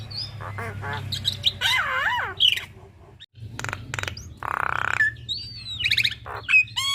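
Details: Young Javan myna in long rolling song: wavering whistled slides, sharp clicks and a broad harsh buzzy burst, then rising whistles, with a low steady hum beneath.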